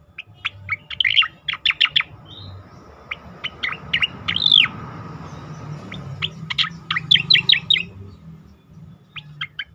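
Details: Asian pied starling song for training competition birds: crisp chirps in short runs, one drawn-out arched whistle in the middle, then further clusters of sharp notes, with a soft rumbling background.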